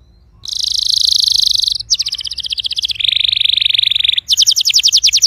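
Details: Canary song meant to encourage a silent canary to start singing: a sequence of distinct rapid trills, each held about a second, switching between high and lower pitched rolling tours.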